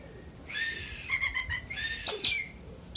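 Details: Song of an Oriental magpie-robin, used to rouse a less combative bird into fighting mood: sustained whistled phrases with quick stuttering notes between them, ending in a sharp high rising note.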